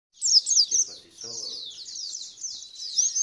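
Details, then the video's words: White-eye song used as a lure to make other white-eyes respond, sing wildly and spread their wings: a dense, high twittering warble of rapid sweeping notes, loudest in the first second. A brief low voice is heard near the middle. "Pancingan Pleci Biar Ngalas dan Bukpar"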